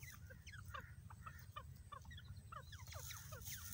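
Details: Short, sharp, falling chirps from a grey francolin making a spot to lay its eggs. They come in quick, irregular bursts, about two per second, over low background hum.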